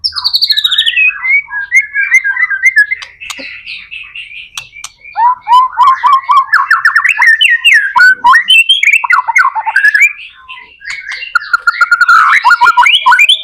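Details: Gacor white-rumped shama song, used as a lure to get other shamas singing: a loud, dense, fast stream of varied whistles, trills and chattering notes. Pitch swoops up and down in quick phrases that barely pause over thirteen seconds.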